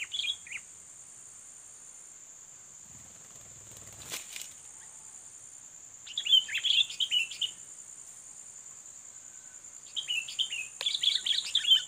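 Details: Sooty-headed bulbul, a fighting bird being lured as a rival is challenged: short bright chattering warbled phrases in bursts at the start, around six seconds and near the end, over a steady high insect-like hiss.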